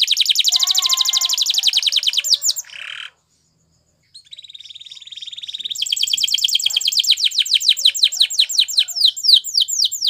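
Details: Singing Spanish Timbrado canary, a training song for other canaries: a dense rapid metallic trill with a lower warbling layer, a pause of about a second, then a high fast trill swelling into quick repeated descending notes.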